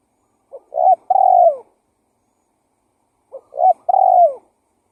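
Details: An actively calling spotted dove gives its lure call. Two phrases about three seconds apart, each with quick stuttering notes leading into a longer coo that slides downward at the end. The background is quiet.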